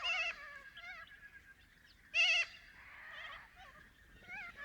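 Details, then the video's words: Little corellas in Paroo-Darling National Park, Australian outback, a flock calling with several overlapping wavering calls, one loud harsh screech near the middle and softer chatter throughout. "Little Corella Sounds - Loud wavering calls & harsh screeches"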